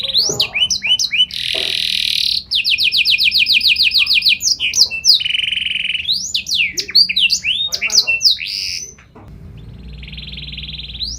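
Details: Canary in long varied song meant to get other canaries singing: swooping whistles, buzzy rolls and rapid repeated notes in quick succession, falling to a faint trill at the end.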